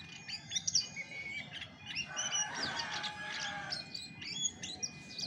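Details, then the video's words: Chestnut-backed thrush (Geokichla dohertyi) singing in its original voice: high chirps and whistles, then a fuller burst of mid-pitched warbling notes, then bright high flourishes at the end, over a steady hum. "SUARA ASLI ANIS MACAN TAPA MASTERAN"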